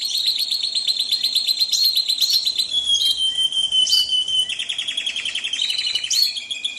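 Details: Canary singing with calming trickling water for tutoring caged birds: a buzzy, pulsing high trill, then a long level whistle and more trilled phrases, over a steady water hiss.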